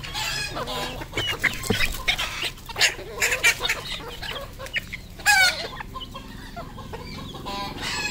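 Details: Red junglefowl used as a decoy, calling loudly in bursts of harsh, stacked clucks and squawks, the strongest around the third and fifth seconds, over a busy chorus of chirping birds.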